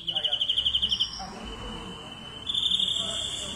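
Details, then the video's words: Greenfinch giving a quick pulsed trill of about a dozen beats, then a thin sustained buzzy tone. Another rapid trill starts near the end. Low background rumble. "Greenfinch Song"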